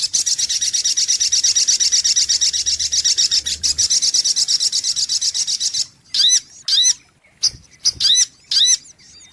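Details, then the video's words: Sogok ontong (brown-throated sunbird) lure recording: a long, loud, high, rapid trill runs for about six seconds, followed by several separate swooping, slurred, whistled notes. "SUARA PIKAT mp3 BURUNG SOGOK ONTONG PALING TOKCER"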